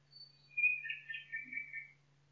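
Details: Forest nightingale giving a high whistle followed by a rich, jumbled warbling phrase that tumbles downward, with a brief soft low sound midway and a steady electrical-like hum in the background.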